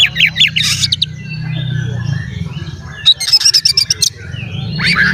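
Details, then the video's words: Oriental magpie-robin song aimed at provoking other magpie-robins: a quick sharp chirping phrase, a low steady hum, then a rapid train of clipped high notes and a final rising whistle. "SUARA BURUNG KACER GACOR ngeplay santai MANGGIL kacer auto KONSLET buka ekor TERAPI KACER agar EMOSI"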